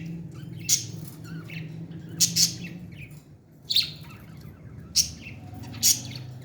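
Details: Feeding baby parrot uttering loud, crisp high chirps in an irregular series of five, some doubled, over a faint low drone.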